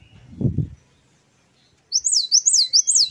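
Great tit singing a fast run of high, thin whistled notes that swoop up and down, about five in just over a second, after a brief low thump.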